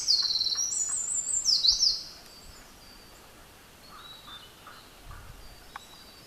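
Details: A tiny Eurasian wren, Japan's smallest wild bird, sings energetically in mountain beech woods: a loud, very high, rushing trill with rapid notes for two seconds, then quiet forest background.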